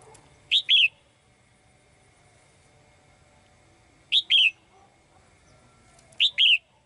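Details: Female songbird kept in a cage, singing to attract the male. Three brief, loud, high two-note phrases are spaced irregularly: a sharp upward flick, then a bending whistled slur.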